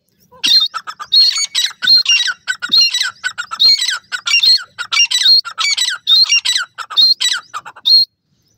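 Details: Black francolin chicks playing and fighting on grass, giving loud, harsh, high squawky calls in quick bursts, about one a second, with short sharp notes stacked between, continuing for eight seconds before stopping.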